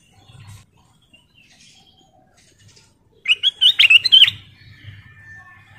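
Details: Golden bulbul (kutilang emas), a lure call to draw in bulbuls, gives one short, bubbly phrase of quick liquid warbled notes lasting about a second, then goes quiet apart from a faint low hum.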